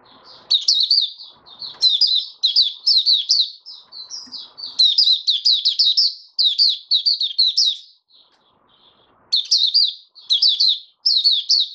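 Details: Caged white-eye, a male, steadying his form in an opening song: rapid high whistled phrases with quick up-and-down twists, delivered in bursts of about a second with short gaps, plus faint low rustling early on.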